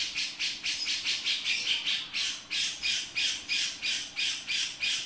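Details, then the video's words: Male grey-cheeked bulbul 'beset' call: loud, coarse, buzzy notes repeated about twice a second, each swelling then cut off. "Cucak Jenggot Jantan Beset"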